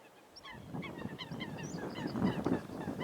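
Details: Eurasian coots in a fight, giving rapid, repeated, sharp honking calls that overlap one another, over continuous low splashing and churning water.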